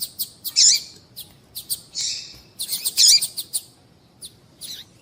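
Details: Female double-collared seedeater calls, said to stimulate males to sing. Scattered thin ticks lead into louder buzzy, high chirps, one drawn out, in a loose irregular sequence.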